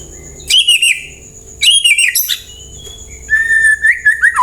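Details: A white-rumped shama gives a lure song to prompt other birds to reply: three loud phrases of sweeping whistles with sharp high notes, the last a steadier, lower warble.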